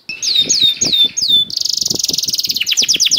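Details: Canary delivering a special cengkok in vigorous gacor song, played to encourage other canaries to sing: four clear falling whistles, then an abrupt switch to a dense, fast, even trill.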